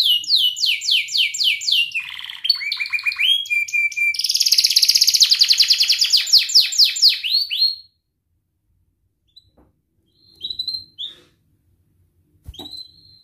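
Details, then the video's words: Canary song used to train young birds: fast cascades of falling whistles, flat tones and dense buzzy trills for about eight seconds, followed by quiet gaps with a few short chirps. "Kenari gacor NGERIK Cuit Cuit Ngerol nembak - Pancingan kenari paud belajar bunyi"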